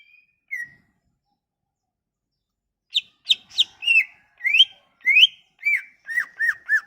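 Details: Leafbird song as a lure for a leafbird that has stopped singing: one soft whistle, a pause of two seconds, then a quick series of sharp and slurred whistles with varied pitch.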